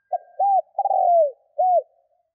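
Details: Loud, close spotted dove coo used to draw in wild birds: a quick first note, an arched coo, a long vibrating coo sliding downward and a final arched coo.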